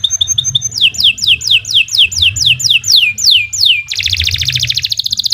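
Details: Canary delivering master song for training birds: a few short high notes, a long series of downward-slurring whistles about one per third second, then a dense rapid buzzy trill.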